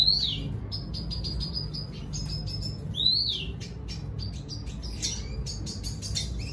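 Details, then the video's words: Red siskin singing to lure a female: a sustained thin high note series, a swooping slurred whistle, then rapid staccato chips and twitters toward the end, over a faint low hum. "Redsiskin sing a song , gray singer finch , thạch xám hót dụ mái"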